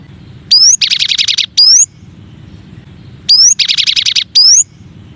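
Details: Cinereous tit (gelatik batu) tutor song, one of nine variations: a sharp rising whistle, then a rapid buzzy chattering trill, then another whistle. The phrase repeats twice with a short pause between.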